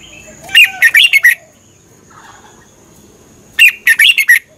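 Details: Red-whiskered bulbul, Thai cage bird, song played to train or excite other birds; two brisk phrases of four or five chirpy, liquid warbled notes about three seconds apart, a thin steady high whine in the background.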